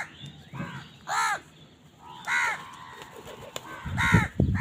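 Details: Harsh, nasal crow caws while eating, spaced about a second apart, with soft low rumbling and knocking noises underneath and a faint buzzy call at the start.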